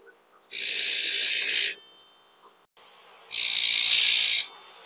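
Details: Azure-winged magpie calls twice in quick succession, each a rough, hissing rasp of about a second, with a short gap of quiet between.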